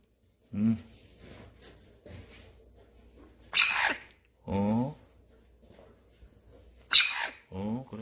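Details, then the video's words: A young hand-reared Eclectus parrot being weaned off hand-feeding formula begs for food with harsh, rasping screeches and nasal wavering calls, a few seconds apart, while a person talks softly nearby. "뉴기니아앵무 루비가 계속 이유식달라고 합니다!!!"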